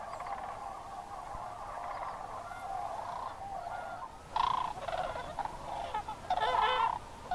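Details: Sandhill cranes during the October migration at Crex Meadows State Wildlife Area, a sedge wetland in Northwest Wisconsin, evening or early morning; a soft distant chorus of rolling calls, then two loud rattling, trumpeting bursts from nearer birds.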